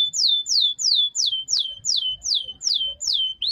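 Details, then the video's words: Canary singing a tour of repeated downward-sweeping whistles, about nine identical slurred notes spaced roughly 0.4 seconds apart. "chant canaris تغريد الكناري singing canary"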